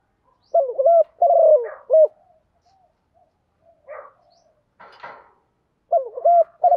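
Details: Spotted dove used as a decoy bird, cooing in the morning to rouse males: low, mellow, wavering coo phrases, one run of three coos near the start and another near the end, with a few faint scratchy noises between.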